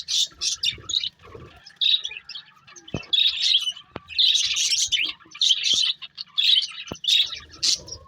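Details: Pair of breeding budgerigars in captivity, chirping in short scratchy bursts separated by brief pauses, with a few sharp clicking knocks in between.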